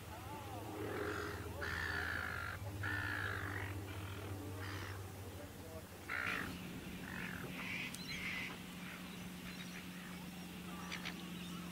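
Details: Eastern curlews at Port Hacking, preparing for migration while feeding and squabbling over territory, give a series of harsh, rasping calls in short bursts, over a steady low mechanical hum.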